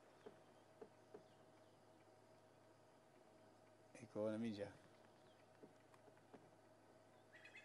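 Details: At Djuma Game Reserve, South Africa, a francolin gives one harsh, grating alarm burst under a second long on seeing something, then falls quiet; faint clicks and soft outdoor hiss throughout.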